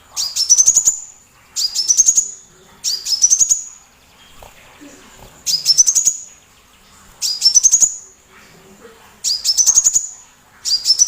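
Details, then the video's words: Small loud sunbird whose song serves as a tutor recording to provoke shamas and other birds: repeated bursts of rapid, shrill, rising chips, seven phrases with uneven pauses, quiet background. "PANCINGAN KOLIBRI TERBARU // MASTERAN BUAT BURUNG GACORAN"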